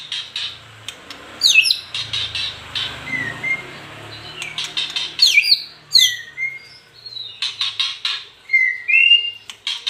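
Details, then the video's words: White-rumped shama song made of scattered sharp clicking notes mixed with brief, high, rising and falling whistles, heard over a faint low rumble. "Murai batu"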